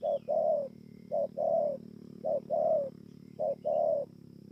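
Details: On 28 November 2017 at Bờ Y, Kon Tum, a spotted dove gives four rhythmic throaty coo pairs, each short note followed by a fuller long one, over a low steady hum.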